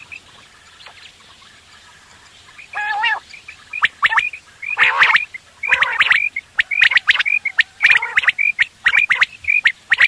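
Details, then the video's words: Morning quail calls used for hunting: after a quiet start, short sharp whistles and harsh rasping bursts come in irregular clusters, getting busier toward the end. "Batair awaz / quail sound / subah shekar k leye batairon ki behtareen awazy"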